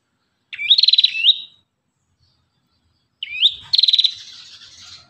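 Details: An Ashy tailorbird delivers two separate phrases about three seconds apart. Each opens with a rising whistle and breaks into a quick, regular trill of high notes, with quiet surroundings.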